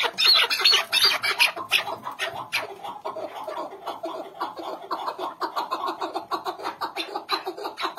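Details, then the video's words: Mixed chukar partridge calls: dense, loud chattering clucks crowding over one another, a rapid overlapping run of chuck notes from several birds at once. "karışık keklik sesleri"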